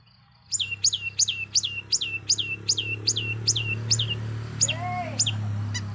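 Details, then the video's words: Long-tailed shrike lure song, made to provoke other shrikes into singing: a steady run of about ten sharp, downslurred whistled notes, then a lower rising-falling slur and a few clipped notes, over a low steady hum. "Awas...!! bikin ngamuk burung MERTUA...! || Pancingan Cendet Gacor"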